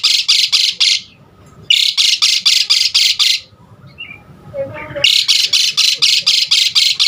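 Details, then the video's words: Asian pied starling from a varied filler recording to get other starlings singing: bursts of loud harsh rasping notes repeated about twice a second, broken by quiet gaps with a faint whistle. "Jalak Suren Aneka Suara Isian Uniknya Bikin Burung Jalak Manapun lkut GACOR Full Isian VARIASI"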